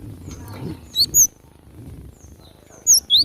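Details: Fighting Java sparrow in the wild: paired bright, metallic upward chirps, one pair early and another near the end, with quiet low background noise between.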